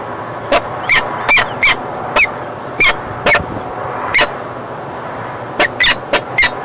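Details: A falcon pair at their nest on 31 March 2016, one returning after chasing off an intruding female, gives about a dozen harsh, clipped notes at an uneven pace, some closely paired, over a faint steady background hiss.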